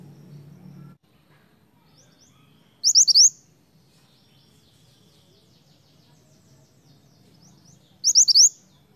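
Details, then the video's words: Snowy-browed flycatcher giving two brief, thin, very high phrases of quick tumbling notes about five seconds apart, over a faint low hum. "suara mantenan gacor untuk pancingan mantenan bahan"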